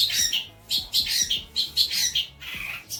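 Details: Long-tailed shrike song used as tutor material for young birds: high, harsh squawking bursts mixed with short whistled notes, coming in uneven phrases about once a second over a faint low hum.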